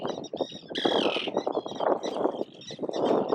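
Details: Wild gulls, parents of chicks that swim but cannot yet fly, defending their young, heard from 15-20 m across water between islets on a Nikon Zf camera; one loud harsh squealing call over a dense background of rough clattering noise.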